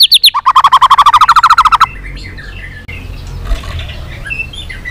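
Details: White-rumped shama performance aimed at getting other shamas singing: a fast rattling trill of around twenty evenly spaced notes lasting under two seconds, then quiet background with faint bird calls.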